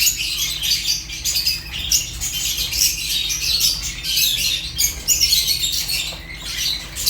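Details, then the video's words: Fischer's lovebirds, African lovebirds, chirping: a dense, continuous chatter of shrill, scratchy high chirps and squawks that overlap throughout, with a low steady hum beneath. "African lovebirds chirps sounds | تغاريد فيشر غندور روز"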